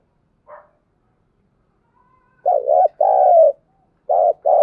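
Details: Spotted dove giving thúc gù coos in the early dawn twilight. A brief faint note comes first, then a quick series of deep hoarse coos: a wavering pair, a long level note, and another pair starting.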